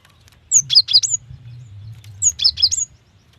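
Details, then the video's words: Cinereous tit female calling a male: two loud phrases, each of three or four sharp, high notes that sweep downward then flick up, about one and a half seconds apart, with a soft low hum beneath. "GELATIK BETINA UNTUK MEMANCING BUNYI"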